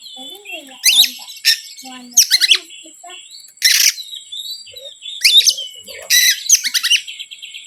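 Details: Oriental magpie-robin song played to provoke other birds: a low wavering whistle, then repeated loud scratchy bursts roughly every second, mixed with thin high whistles and a steady high background tone.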